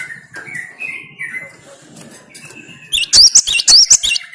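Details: Soft varied chirps and background sounds give way to a loud run of ringing, hooked whistles from a cinereous tit (gelatik batu), delivered in quick succession.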